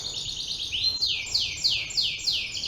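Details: Green canary (kenari) from Yogyakarta, Indonesia, delivering a rapid trill that turns into a series of loud downward-sweeping whistles repeated about every third of a second.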